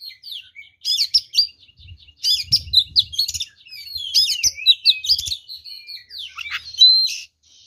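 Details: Fighting song of an oriental magpie-robin, said to make other magpie-robins aggressive; repeated bursts of sharp zigzag chirps and warbles about every second, ending in rising whistles.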